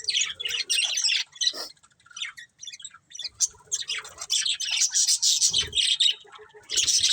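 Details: Breeding pair of colourful budgerigars chirping: continuous high, scratchy chatter and warbling with quick squeaky notes and brief squawks, broken by short pauses, then resuming in dense bursts.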